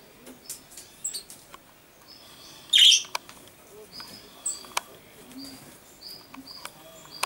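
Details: Common chaffinch calling, recorded on 22 August 2013: short, thin, high notes scattered across the recording, one louder harsh burst near the middle, and sharp clicks in between.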